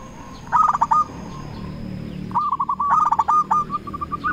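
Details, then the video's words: Local zebra dove calling rivals: a brief burst of stuttering coos, a pause, then a longer rolling series of notes against a noisy low background. "Perkutut lokal gacor RAJA PIKAT memanggil lawan sekali dengar bikin semua perkutut nyaut"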